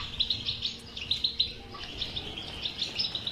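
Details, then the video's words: European goldfinch singing in captivity, used to coax a silent goldfinch into song; crisp high tinkling notes in rapid groups, rhythmic and bright, over a quiet low hum. "اذا لديك مشكله في حسونك انو لا يغرد لا تخاف هذه البتبته الحل وعلاج الحسون الصامت بتبته اجرام"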